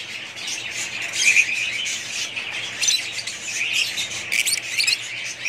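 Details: Budgerigars kept together as a pet parrot family: steady high-pitched twittering from many birds, punctuated by short squawky bursts and a few clear squeaks.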